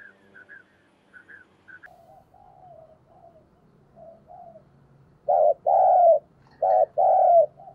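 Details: Spotted dove used as a decoy to lure wild doves. Soft distant coos and faint high chirps open the recording. Then loud cooing phrases start: short hollow notes paired with longer drawn-out, slightly falling coos.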